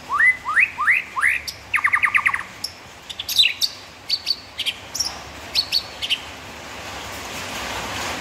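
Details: White-rumped shama (murai batu) tutor song with rapid 'tembakan' notes: rising whistled sweeps, then a fast run of steep repeated notes, then scattered sharp high chips and clicks over a quiet hiss.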